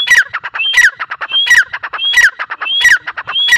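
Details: Dakhni teetar, the grey francolin, gives a grating, squawky call. Each phrase opens with a rising whistle and repeats roughly every 0.7 seconds in a steady rhythm.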